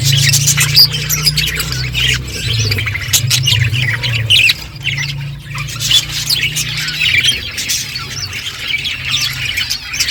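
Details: Budgerigars eating and chirping: continuous busy warbling chatter with squawky notes, over a steady low hum.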